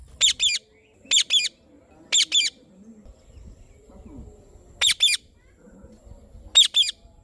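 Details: Harsh double squawks from an Indian ringneck parrot, loud and high, coming in pairs at uneven intervals of one to two seconds over faint low background noise.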